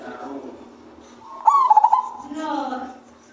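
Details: Male zebra dove with a low, bass voice: a single quick pulsed coo, its rising start leading into rapid beats, set among low murmuring background sounds.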